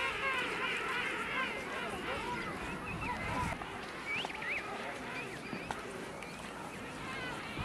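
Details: King penguins at Fortuna Bay, South Georgia: a dense colony chorus of many overlapping warbling, wavering trumpet calls that rise and fall continuously, with a few sharper upslurred notes near the middle.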